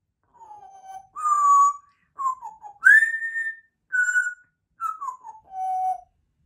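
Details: African grey parrot whistling the Star Wars theme in mimicry, a clear tune of pure whistled notes: a low held tone, short wavering phrases, a bright rising sweep to a long high note, then stepping down to a final low held note, with no other sounds.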